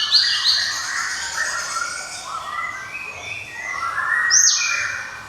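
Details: Java sparrow singing in its ringing 'cemelenting' style: sharp high chips near the start and end, with lower whistled tones between, over a soft background hiss.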